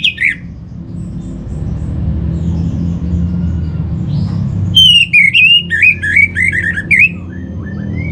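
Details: Song of an orange-headed thrush, used to prompt other thrushes into singing: a short whistle at the start, then a loud run of quick, varied warbled and whistled notes with sharp sweeps, over a steady low background hum.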